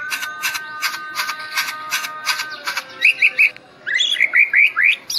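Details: Medan white-rumped shama that bows while singing: a regular series of sharp broadband clicks for about three seconds, then short rising whistled chirps repeated in quick groups.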